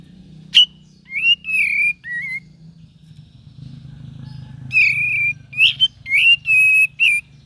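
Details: Cream-vented bulbul: a sharp note and three wavering whistles, a pause with low humming background, then a lively burst of slurred, rising and falling whistles.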